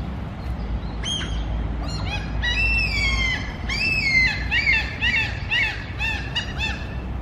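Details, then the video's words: Several common (mew) gulls calling together at food: high, nasal, mewing cries with arched pitch, overlapping about twice a second, over a steady low rumble. "Сизые чайки кричат у корма /Mew gull"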